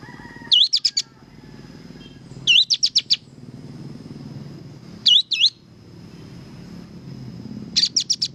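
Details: Repeated song phrases of an actively singing sooty-headed bulbul: brisk bursts of three or four sharp, high whistled notes with rising slurs, roughly every two to three seconds, over low traffic-like rumble.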